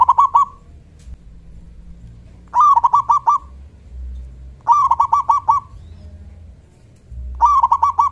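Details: Local zebra dove giving its loud 'kung' voice to provoke answers from other doves. Four phrases, each a short upswept note and then a fast, even series of resonant coos, with quiet low background hum between.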